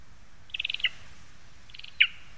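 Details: Lesser spotted eagle in a spruce, Zemgale, Latvia, August 2021. A quick stuttering run of high notes ends in a sharp falling yelp, then after a pause a second, brief run and yelp follows.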